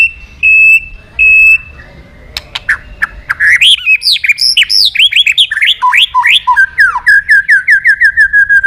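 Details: A white-rumped shama singing to call a rival. Two clear, level whistles come first, then sharp clicks and a cascade of swooping, varied notes settling into a fast repeated trill.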